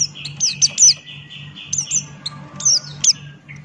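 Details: Male Buxton's white-eye singing ngalas style: bright, high whistles sliding steeply downward, given in quick pairs separated by softer notes, with a low steady hum underneath.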